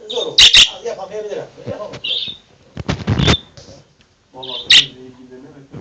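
A female budgerigar gives sharp, high chirps and scratchy squawks, with human speech in the background.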